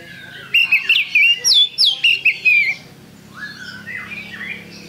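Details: Oriental magpie-robin singing gacor-style as a lure track: about two seconds of loud, rapid whistled phrases with steep down-slurred notes, then quieter, fainter warbling over a low background hum.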